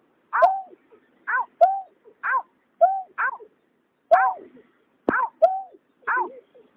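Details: Greater painted-snipe pair, male and female, recorded 2021: a rapid series of nasal, downward-bending notes, often in pairs, roughly nine in under seven seconds, with a few sharp clicks and otherwise quiet surroundings.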